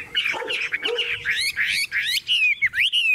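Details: Caged Chinese hwamei, a hand-carried bird singing strongly while its cage is swung: loud, varied whistled phrases sweeping up and down, with rapid slurred notes and short pauses throughout.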